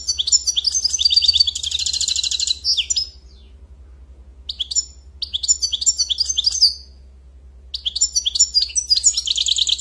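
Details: European goldfinch song: rapid twittering phrases of bright, tinkling notes with a buzzy trill, broken by two short pauses, over a steady low hum.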